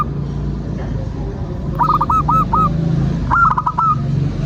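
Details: Local perkutut or zebra dove used as a singing lure: two rolling phrases of rapid coos ending in a longer note, partly masked by continuous low-pitched hum.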